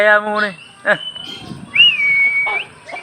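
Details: Oriental magpie-robin, Aceh type, singing 'pelor' style: rough harmonic notes open, then a long whistle that rises sharply, holds steady and lifts at its end, with brief harsh notes after.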